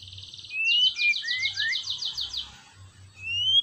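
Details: White-rumped shama song for firing up a quiet shama: a fast buzzy trill of repeated rasping strokes runs beneath sweet rising whistles, with a low hum in the background.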